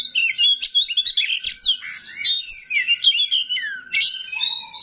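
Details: An oriental magpie-robin of the kacer rawit type pours out a busy, varied song of twisting whistles, quick slurs and harsh twitters over a faint steady low tone.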